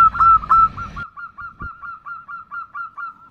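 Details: Zebra dove female calling to the male with a nutut call: after a loud, noisy opening second, a clean, even series of short, upturned cooing notes repeats about three times per second, fading slightly.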